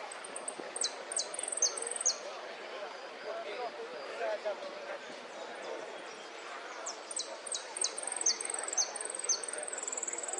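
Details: Saffron finch (Sicalis flaveola) named Atila sings a song with golpes, pitadas and prío: bright, high chirps in quick bursts, then sharp whistled notes and a closing high trill, over a steady murmur of background noise.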